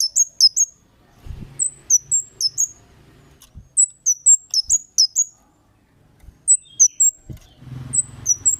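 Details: Kemade lure calls to provoke replies from other birds: repeated quick groups of shrill high chirps over a faint low rumble, with occasional soft thuds.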